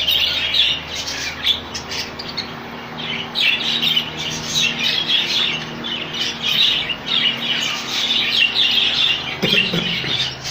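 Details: Budgerigar colony of rainbow birds: constant overlapping squawks and chirruping warbles from numerous birds, bursts rising and falling, a low electrical hum throughout.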